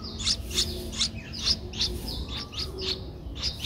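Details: Nestling Streak-eared Bulbul, eleven days old, Ubon Ratchathani, Thailand, April 2023: a run of bright, piercing chirps in quick succession, some louder than others, over soft background noise.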